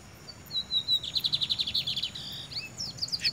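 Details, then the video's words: Lined Seedeater, free and tame, sitting on a man's head and singing: a drawn-out high whistle, then a quick repeated chain of buzzy notes, ending in a few scattered high chirps. "bigodeiro solto cantando"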